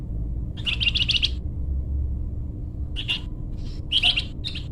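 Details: Energetic flamboyan bird singing, meant for luring or tutoring birds: a trilled high chirping phrase of about a second, a pause, then shorter sharp chirp bursts.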